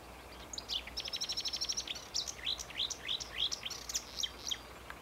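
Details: Marsh warbler singing on 8 May 2015 at Homolka ponds near Velké Poříčí, a fast run of high chattering notes followed by repeated rising slurred whistles, varied and mimic-like, about three elements per second, with light background hiss.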